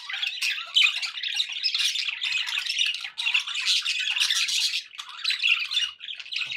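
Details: Pet budgerigars chattering nonstop, a dense stream of squawks, warbles and short chirps with overlapping voices and brief dips, all bright and high-pitched.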